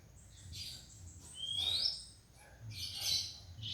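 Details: Young Oriental magpie-robin learning to sing. Faint, thin, high whistles, one rising in a clear upward sweep, over a low background hum.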